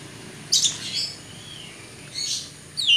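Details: Oriental magpie-robin (kacer), a champion bird let out to fly free, giving sparse high notes: a sharp burst, a soft sliding whistle, then another burst and a final clear whistled note after gaps of quiet.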